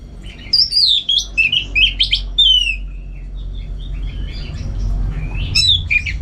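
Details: Orange-headed thrush, a contest-trained bird in Singaraja, North Bali, delivering a rich warbled song. Tumbling, descending slurred whistles run together in quick sequence, then fade before a final twisting phrase over a low constant hum.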